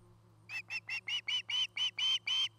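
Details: At a camera-watched nest in Charlo, Montana, an osprey gives a run of about eleven piping chirps in just over two seconds. They start soft, swell steadily in loudness and are backed by a low hum.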